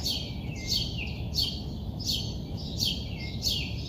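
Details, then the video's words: Early morning in Queens, New York City: birds giving quick, high, downward-sweeping chirps about every half second, some overlapping as if from more than one bird, over a steady low rumble. "early morning bird call"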